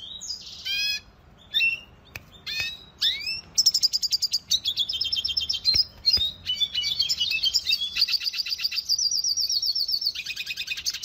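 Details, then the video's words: Training song from a red siskin for cage birds, opening with separate sharp chips and rising whistled notes, then building into a long, rapid, buzzy trilling warble. "Pintassilgo da venezuela cantando muito 2020 - Red Siskin training song"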